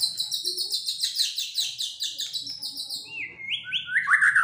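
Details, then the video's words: White-rumped shama, a caged fighter bird in an agitated mood, delivering a fast run of high repeated chirping notes that slowly descend, then rising whistled phrases and a trilled ending. "tes mintal murai batu fighter gacor dan emosi"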